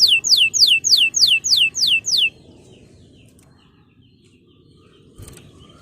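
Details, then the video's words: Male canary calling a rival, used to train young birds: seven clear, high whistled notes sweeping downward, about three per second, then a low background rumble. "Cuit Cuit Kenari Memanggil Lawan"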